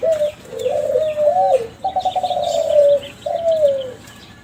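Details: Lure song of a young captive Kelantan zebra dove bred from contest champions: a series of low coos, one broken into a rapid stuttering trill, each sliding gently downward, with faint twittering of small birds behind.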